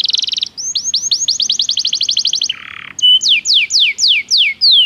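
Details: Belgian canary song used to train canaries, with a short buzzy trill, a steady run of rapid sweeping notes, a brief harsh rasp, then loud slow falling whistles repeated about twice a second.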